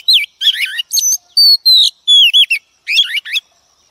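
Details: Female Oriental magpie-robin, a wild-caught bird, singing to stir up males: a rich run of varied whistled phrases, some sliding down, some warbled, with short pauses between bursts, loud and clean against a silent background.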